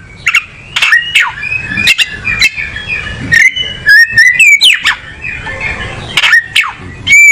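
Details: A kacer, or oriental magpie-robin, sings a mix of sweet whistled slurs, harsh clicks and quick chattering notes, softer at first and then louder clear whistles near the end.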